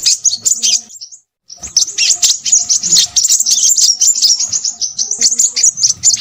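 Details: Crimson sunbird in noisy song: a quick twitter, a short silence, then a long run of high, sharp chirps repeated rapidly and irregularly.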